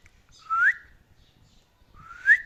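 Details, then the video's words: Pet male parrot whistling: two clear rising whistles, each sliding upward and ending on a brighter peak, separated by about a second and a half of quiet. "The Amazing Talking Parrot Who Can Sing, Whistle and Speak!"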